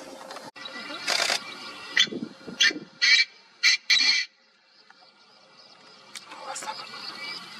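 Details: A male Painted francolin in a grassy area at Bhigwan, Maharashtra, India, in August 2021 calls in a series of five or six harsh, grating bursts over about three seconds, then fades into quiet background rustle.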